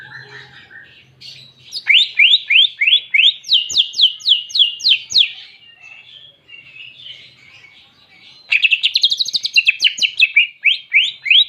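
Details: Greater green leafbird singing a clear song filled with canary imitations. Fast series of bright, down-slurred whistled notes repeat several per second in two long bursts, with softer chattering and low buzzing between them.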